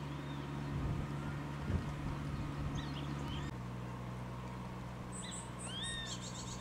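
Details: Grey-faced buzzard returned with its mate to a spring breeding site in Kanagawa, Japan, 13 April 2013; one clear arching whistle near the end, with high chirps of other birds and low rumbling hum earlier.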